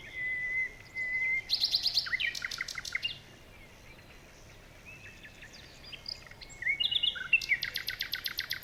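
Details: Jungle birds: a long steady whistle, then bursts of rapid buzzy chirps and sharp clicks, a quiet gap, and another dense chattering burst at the end.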